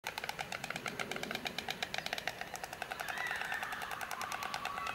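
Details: A White Stork on its old nest in 2006 gives rapid wooden bill-clattering, a dry rattle of clicks that speeds up and grows louder toward the end, with a faint background whistle.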